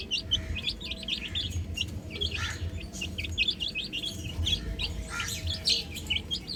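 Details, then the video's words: Chicks, young hens out on a roof, peep constantly in many overlapping high, thin notes, while a low droning rumble runs beneath the chorus. "Adorable Chicks Chirping Sounds"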